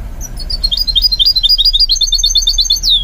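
A goldfinch mule sings a fast, bright, unbroken twitter of high chirps. It ends in a short falling slur over a faint low room hum.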